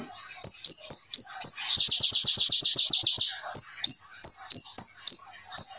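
A brown-throated sunbird sings very high, sharp paired notes, then breaks into a fast, rattling trill of about a dozen notes before returning to the quick, jerky phrases.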